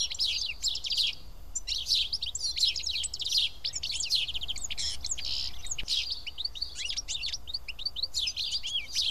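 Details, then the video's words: At Karyotissa, Greece, house sparrows eat together in a flock, giving nonstop chirping: many short high notes overlap in dense waves throughout, with a soft low background hum. "Σπουργίτια (ήχος και εικόνα)"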